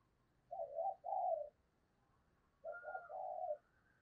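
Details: Lure spotted dove cooing in the urging 'thúc gù' manner for the Tết season, aimed at wild doves; two groups of soft, low, rounded hoots over a quiet hiss, with a faint thin whistle.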